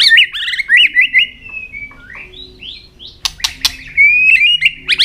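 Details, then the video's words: White-rumped shama singing with tail-flicking, to spur young birds into song: looping warbled whistles, a long drawn-out level whistle, soft swooping notes, sharp clicks, then a steady high whistle with quick warbles. "chòe lửa hót đánh đuôi.chòe lửa tạch kích bổi lên lửa hiệu quả"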